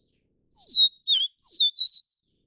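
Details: Vivid Niltava, Niltava vivida vivida of Taiwan, giving a single sweet phrase of four high slurred whistles, the second note dipping and the last gently rising, in a quiet background.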